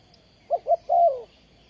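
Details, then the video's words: Spotted dove kept as a trapping decoy, 20 April 2020: one phrase of two short rounded coos running into a long, slowly falling croo, clear against quiet background. "Bẫy Chim cu gáy bằng mồi đất"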